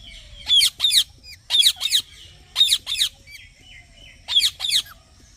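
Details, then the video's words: Green parrot repeating harsh, high, double chirps, each pair followed by a pause of about a second, four pairs in succession with faint whistles between. "Green Parrot Chirping Sounds"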